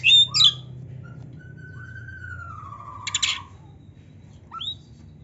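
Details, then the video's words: Oriental magpie-robin song with imitation phrases: a harsh chattering burst opens, then one long, level whistle drifts slowly downward for nearly two seconds, followed by a brief rasp and a final short rising note. "kacer gacor full isian MEWAH NARUNG‼️Auto NGOBRA BUKA EKOR"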